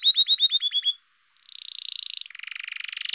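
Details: A male domestic canary sings its spring courtship song, a run of quick, bright repeated notes, then a rolling high trill that drops into a lower, buzzier rattle.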